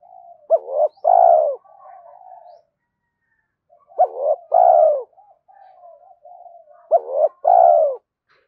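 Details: Spotted dove calling to provoke other doves, giving three coo phrases about every three seconds, each a sharp rising note, a short phrase and a long falling coo, with quieter cooing between phrases.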